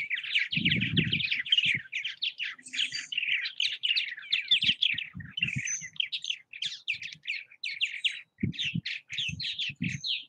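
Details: Purple martins at bird houses in Southwest Missouri: dense, continuous chirping chatter of overlapping rapid buzzy notes, with scattered low thumps and knocks beneath.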